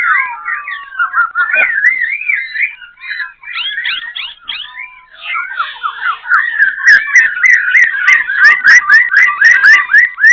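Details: A captive Black-throated laughingthrush, caged about one and a half months, in Bình Chánh, Ho Chi Minh City, sings a rich, varied run of clear whistles. It settles into fast, rhythmic repeated phrases, three or four a second, with sharp clicking notes above.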